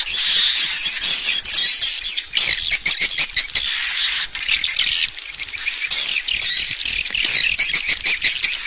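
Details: Swiftlet calling sound meant to draw swiftlets into a bird house to roost: dense, shrill twittering chirps and buzzy rattles mixed with a thin steady high whistle, broken by brief pauses.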